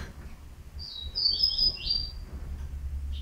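A Yellow-bellied Seedeater gives a brief, high, sweet phrase of whistled and buzzy notes lasting about a second, over a steady low hum.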